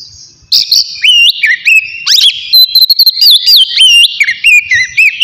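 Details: Oriental magpie-robin in relaxed 'ngeplong' singing style, played to stir emotion and breeding drive: loud, clear whistled phrases with rising and falling sweeps and slurred notes, quick varied bursts roughly twice a second after a brief quiet start.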